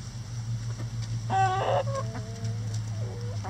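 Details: Backyard rooster crowing amid coop enrichment with a hanging cabbage: a harsh burst opens into a long, even crow with a lower tailing note, soft hen clucks and a steady low hum behind.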